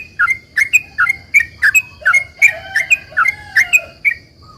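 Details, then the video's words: Long rapid song of a sooty-headed bulbul, played to provoke other bulbuls into answering: quick chirpy paired notes dipping and lifting, repeated nearly a dozen times, with a faint low whistle beneath and a steady high hum. "trucukan gacor ROPEL PANJANG ini buat pancingan trucukan agar bunyi JADIKAN burung trucukgacor NYAUT"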